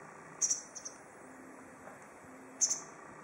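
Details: In a tree at Goryokaku Park, a lugens white wagtail utters two bright, very high double chirps about two seconds apart, with soft lesser notes between and a steady faint hum.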